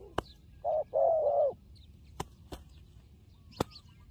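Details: Turtle dove in a fighting mood gives a short burst of two or three low, breathy coos, followed by sharp isolated clicks and knocks in otherwise quiet surroundings.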